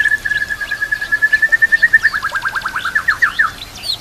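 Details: White-rumped shama singing an imitation-rich tutor song for training other shamas; a long steady series of about three short whistled notes per second on one pitch, speeding into a rapid stuttering trill with higher squeaks at the end.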